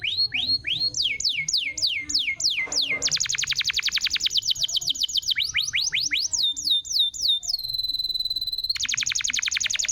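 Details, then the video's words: Canary singing to encourage a silent canary: falling whistled notes in a steady series, a long fast rattling trill, more swooping notes, a sustained pure tone, then another rapid trill. "SUARA BURUNG ,PANCINGAN KENARI MACET‼️ GACOR"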